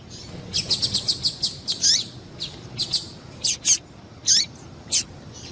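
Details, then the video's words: A female double-collared seedeater gives calls that excite males: a fast series of about seven thin, high ticks, then scattered louder chirps and two slurred notes that drop in pitch. "Melhor Piado de fêmea de papa capim para Foguear e Esquentar papa capim"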